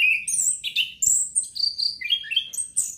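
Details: Orange-headed thrush song played as therapy to stimulate breeding urge: a rich, varied run of clear whistled phrases that jump between high and very high pitches, with quick slurred notes and brief pauses, on a quiet background.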